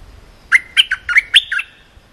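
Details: Cream-vented bulbul singing a short training phrase meant for young birds to learn: five quick, liquid chirps over about one second, jumping up and down in pitch, in a quiet setting.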